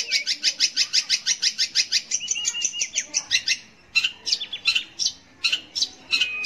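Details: Song of a long-tailed shrike (cendet or pentet) used to provoke young or silent shrikes into singing; fast repeated high notes give way to a level whistle, then separated bursts of harsh chatter with short silences.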